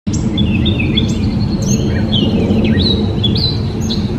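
Gray catbird giving a rambling run of varied squeaky, slurred chirps and whistles, high-pitched and without a fixed rhythm, over a steady low rumble of background noise.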